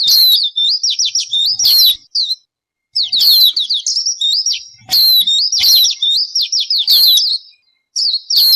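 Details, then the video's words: Bird vocalizing almost nonstop: fast series of bright, steeply falling whistled notes broken by loud sharp clicks, in phrases about a second or two long with short silences between. "Suab noog ncwb qua dib tuaj zoo tiag tiag."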